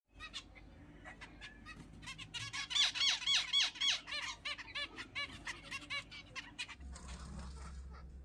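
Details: Zebra finches at their nest give rapid, nasal, toy-trumpet beeps and squeaks in quick repeated bursts.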